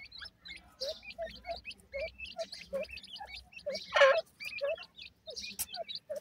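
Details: Grey francolin (dakhni teetar) pair and chicks: repeated high, hooked cheeping notes in quick series alongside lower short chirps, with one louder burst of noise near the middle and a low hum underneath.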